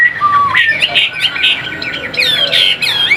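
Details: Chinese hwamei in a cage giving a falling whistle then rapid chattering, harsher notes and bright upward sweeps.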